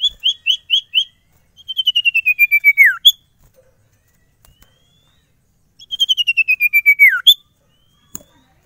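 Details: Sirtu singing lively, a bird said to stay unstressed and start calling at once when carried about: bursts of quick repeated whistled notes, each run drifting lower and closing with a sharp downward slur, repeated twice with quiet gaps.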